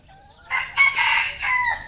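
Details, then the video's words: Crowing red junglefowl at a Cambodian farm, a single strident crow lasting about a second and a quarter, stepped in loud segments with a drawn-out, dropping last note; softer background calls from other fowl precede it. "red junglefowl farm Cambodia"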